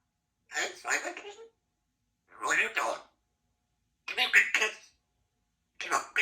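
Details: Female Congo African grey parrot, two years old, a talkative pet at a country home, speaking words clearly: four short spoken phrases spaced roughly two seconds apart, with silence between them.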